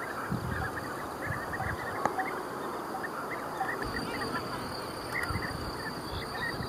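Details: Flock of European bee-eaters, back in May, gives a dense, continuous chatter of short rolling, liquid notes, many birds overlapping, with a faint steady high hiss behind.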